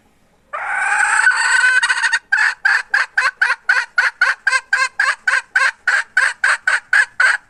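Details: Hen recorded in 2021 opens with a long rasping squawk. Then comes a long, steady run of about twenty sharp, harsh pulses, roughly three per second, in a rhythmic cackle.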